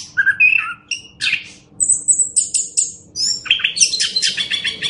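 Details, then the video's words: Master-recording song of an orange-headed thrush for tutoring other birds, a fast medley of rising whistles, high sharp notes and scratchy chattering bursts delivered almost without pause over a faint steady hum. "Masteran Anis Kembang"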